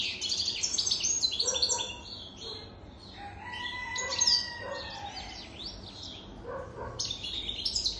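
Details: An adult European goldfinch, over three years old, sings bursts of jangling, high-pitched twitters and chirps separated by short softer gaps, with a brief lower whistled note midway.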